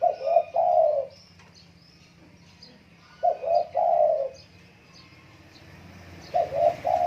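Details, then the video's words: Vigorous cooing song of a spotted dove: clustered short coos ending in a longer falling coo, repeated about every three seconds over soft high chirps of other birds and low background hum. "tarkuku gacor"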